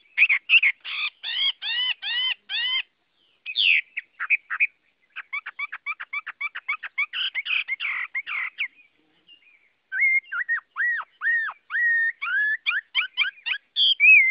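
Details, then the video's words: Chinese hwamei (Garrulax canorus) singing a rich medley: rapidly repeated arched notes in series, fast chattering runs, then a sequence of clear down-slurred whistles, several times per second. "Tiếng Họa Mi hót | The sound of the bird Garrulax canorus"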